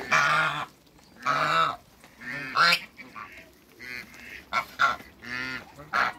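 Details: Loud brassy honks from two male and one female African geese in a backyard come in long bursts separated by short pauses, some calls doubled.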